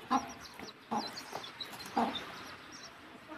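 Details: Hen leading chicks home to roost, giving three soft, short clucks spaced about a second apart against a hissy background with faint high peeps.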